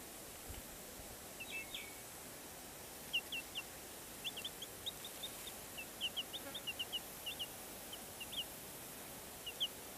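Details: Black Cochin chicks giving soft, high, short peeps, scattered singly and in quick pairs through the recording, denser in the second half, over a steady faint background hiss.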